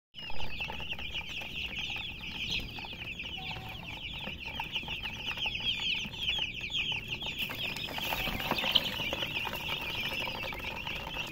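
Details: Colour chickens (murgi, hen) giving continuous thin, high chirping, many overlapping peeps in a steady stream throughout, with faint rustling and a soft thump near the start.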